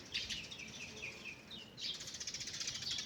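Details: Birds singing in a morning forest: a string of descending, slurred whistled notes repeated quickly, then a dense, rapid high twittering chorus fills the rest.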